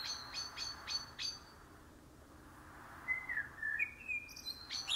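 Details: Karatavuk, the common blackbird, giving a soft fluty warble after a string of quick, thin high notes, with a quiet gap between them and faint background hiss.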